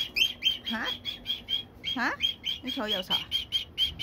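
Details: Senior pet cockatiel scolding a hated box, October 2, 2021: bright clipped notes repeated about three times a second, broken by several lower gliding, squawk-like swoops.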